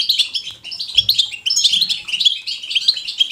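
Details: Natural goldfinch batbata, lively twittering of a European goldfinch: a fast string of sweet, high chirps broken by a short gap near one second, then a busy jingling flurry.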